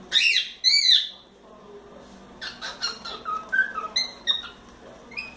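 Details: Young pet cockatiel, a four-month-old male, whistling while playing on its playground perch and swing: loud rising and falling whistled notes, then a run of shorter chirpy whistles and warbles.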